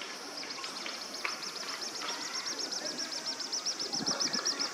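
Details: Little grebe chick chasing its parent for food while calling: a rapid, steady series of thin high peeps, about ten per second, growing louder toward the end, over soft background hiss.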